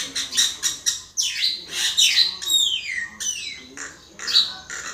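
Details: Common myna song of rapid harsh clicks, then long sweeping whistles falling steeply in pitch, closing with a few more sharp chirps.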